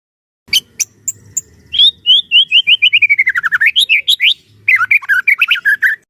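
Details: Singing white-rumped shama, kept as a trainer to make other shamas sing: sharp high clicks, then a long run of quick whistled notes falling in pitch, ending in rising and falling slurred phrases.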